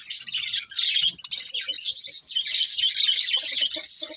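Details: Budgies keep up a dense, continuous high-pitched warble and chatter without a break, with a few faint clicks underneath.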